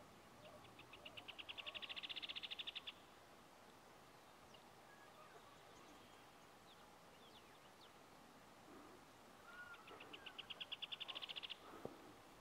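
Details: Rufous hornero at Chaunaca, Sucre, Bolivia: two bursts of a loud, rapid, high trill of evenly spaced notes that swell in volume, each lasting about two seconds and separated by a long pause, over steady outdoor background noise.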